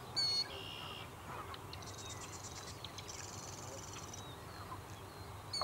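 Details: Killdeer at Largent Bend, a female doing a distraction display to lead an intruder away from her nest: a brief high note early, then two longer rapid, shrill trilled call bursts over a steady low background hiss.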